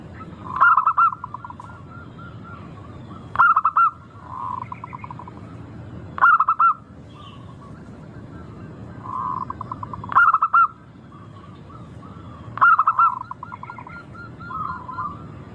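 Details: Local zebra dove song, used as a lure to get birds singing, described as melodious and crystal-clear: loud pulsed cooing phrases repeated about every three seconds, with softer rolling coos from other doves between them.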